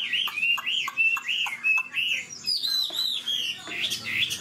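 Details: Chinese hwamei, an old wild-caught bird praised for its fine voice and fast delivery: a run of clear, arched whistles repeated about twice a second, then shifting into higher, quicker looping phrases.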